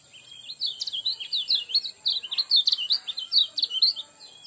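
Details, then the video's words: Lemon-bellied white-eye song, played as a lure to set birds singing: a fast, continuous twittering of high, slurred chirps and trills for about four seconds, bright and jumbled, over a faint steady high tone. "Pancingan kecial kuning cepat buka paruh alami"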